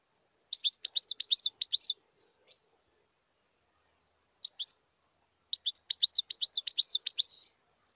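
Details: Wild European goldfinch singing twittering phrases of rapid, tinkling high notes, about one and a half seconds long, with a short three-note chirp between the main phrases.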